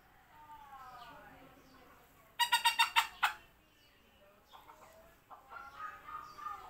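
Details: Silver Sebright bantam, a fancy chicken, while laying an egg: a sharp burst of five rapid, harsh clucks midway, framed by fainter drawn-out harmonic calls before and after.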